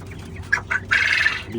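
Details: A 45-day-old young male quail weighing 450 grams, only just starting to call, gives two short rising notes, then a longer scratchy, unpolished trilled phrase; a man's voice and low room noise sit underneath.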